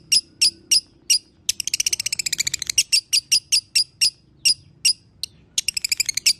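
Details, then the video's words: Lovebird, played to coax a caged lovebird into singing again: sharp, high chirps repeated about every third of a second, broken by two bursts of fast buzzy trilling, with a quiet low background. "Putar Suara ini agar LB anda akan kembali Bunyi"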